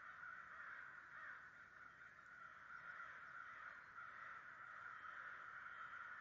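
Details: A huge flock of about 100 American crows in New Jersey, recorded in 2011, calling together as a massive murder: a dense, continuous wall of overlapping harsh caws with no single voice standing out.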